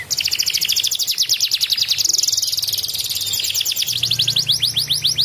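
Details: Domestic canary in full 'ngedurr' song, played as a lure to get lazy canaries singing again: fast rapid trills and rolling buzzy phrases high in pitch, nearly continuous, with a rising series of quick notes near the end.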